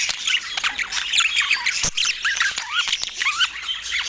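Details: Pet parakeets feeding in autumn morning light give clear rising whistled chirps and squeaky squawks among their chatter, with a sharp tap or click partway through.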